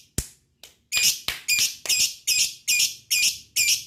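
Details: Lovebird call used to excite lovebirds into singing: after a click and a faint note, a steady series of eight loud, harsh, grating squawks, each about a third of a second apart.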